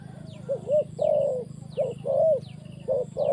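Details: Spotted dove calling during trapping, mellow coos grouped as two quick notes then a longer drawn note, repeated three times over a steady low hum with high chirps overhead.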